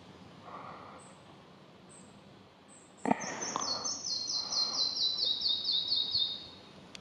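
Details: Red-breasted flycatcher singing: a few faint high pips, then a clear series of about a dozen bright, high, evenly spaced notes that step gradually lower in pitch, over a quiet hissing background.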